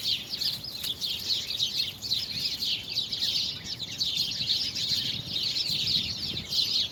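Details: A bird chorus from February 24, 2020: bright, rapid twittering from many birds at once, an unbroken high wash of chirps over a quiet background.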